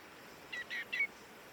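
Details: Common Greenshank, a passage migrant in Korea, in early October 2024: three quick, clear, ringing notes, tew-tew-tew, over a faint steady hiss.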